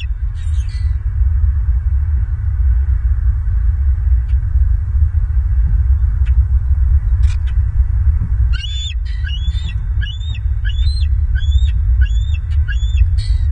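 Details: Bald eagles at a nest in southwest Florida, morning of 28 May 2023: from about the ninth second a series of high, thin, slurred chirping notes repeated roughly every half second, over heavy low rumbling wind noise.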